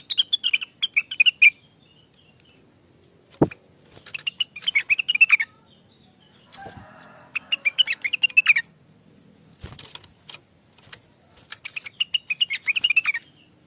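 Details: Lure recording of a greater green leafbird singing: four quick chattering phrases of sharp, high whistled notes separated by short pauses, with occasional clicks and a brief rattling sound in between.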